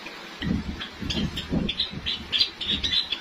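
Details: Captive white Java sparrows at a Lahore breeding setup as the breeding season is about to start: short, high chirps come in quick irregular bursts, with soft low thumps and knocks in the background.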